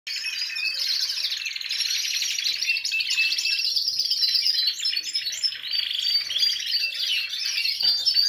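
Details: A group of canaries in a large flight cage, in their rest period as singing resumes after the moult, sing together in a dense, continuous mass of high rolling trills and bright chirps with no pauses.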